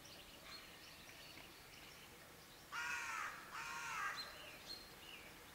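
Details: Pair of harsh, throaty raven caws midway through, preceded and followed by faint high chirps of small birds in the distance.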